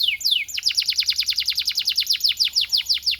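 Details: Canary tutor song for young canaries: two slow descending whistled slurs followed by a long, even, rapid roll of high repeated notes.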